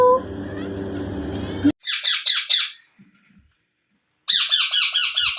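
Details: Indian ringneck parrots, young being fed by their parents: harsh, rapid squawking bursts in fast pulsing runs, a short gap with faint soft sounds, then another intense squawking series. A human voice talks at the start.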